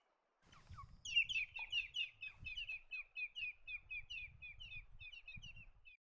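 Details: Feeding on the ground, a Blue Bonnet delivers a long, evenly spaced series of about twenty clipped, slightly downslurred chack notes, steady and rhythmic, with soft low rustling beneath.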